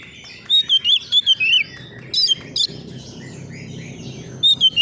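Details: Young Oriental magpie-robin answering a rival, excited: a run of seven quick, bright whistles, then two sharp notes and a final trio, over a low rumbling background noise.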